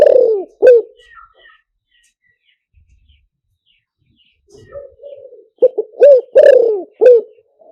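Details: Spotted dove luring call made for speaker use: a falling coo opens, a long quiet stretch with faint distant chirps, then soft low coos build into a loud stuttered phrase ending in a long falling croo.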